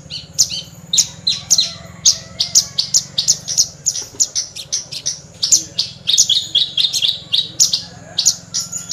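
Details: Caged Horsfield's bush lark, an Indonesian songbird noted for mimicking other birds, singing a fast, steady stream of high, sharp chirps and trills, notes repeating several times a second; faint low hum underneath.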